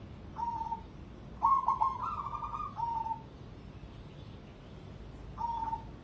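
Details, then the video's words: Zebra dove of the cemani type, bred for contests, cooing: short mellow coos, then a longer rolling trilled phrase, then a final short coo after a pause, against a noisy low background. "Perkutut Cemani Spek Lomba"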